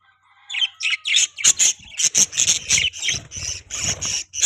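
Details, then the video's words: Pet budgerigars chirping in a rapid, busy series of bright, high, buzzy notes, nearly two per second, some clipped and some warbled, keeping up steady chatter through the whole stretch. "Budgies Chirping Sound"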